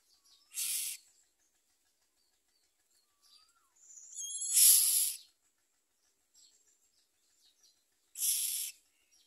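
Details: Common myna young in the nest with their mother, refusing much food and nipping at her; three rough, hissy bursts spread across nine seconds, the middle one louder, with faint thin chirps around them.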